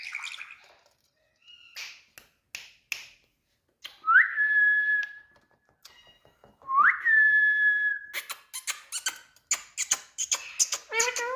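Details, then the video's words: Indian pet parrot indoors, talking and whistling: short harsh bursts, then two loud whistled notes rising sharply and holding level, followed by rapid chattering, clicks and squeaky syllables. "Speaking parrot"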